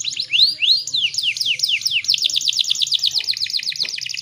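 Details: Female canary used as a lure to get male canaries singing. It opens with a few loud, looping rising-and-falling whistles, then breaks into a fast, even run of short high chirps.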